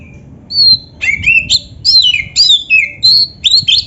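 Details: Kacer, oriental magpie-robin, delivering gacor song full of isian: loud, varied whistled phrases with downward slides and sharp high notes, repeated in quick succession for nearly four seconds.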